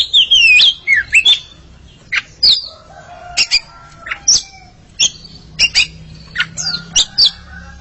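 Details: A pair of Oriental magpie-robins singing against each other: clear whistled phrases, sliding and looping, alternate with sharp high chips and short buzzy notes in irregular bursts.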